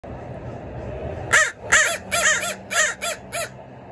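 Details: Crows calling while begging for food; a series of six harsh, nasal caws spaced about half a second apart over a steady background hum.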